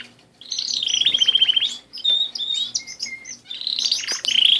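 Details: Singing canaries: rapid rolling trills alternate with clear whistled notes and a couple of lower steady tones, phrases broken by short pauses, then a final high trill.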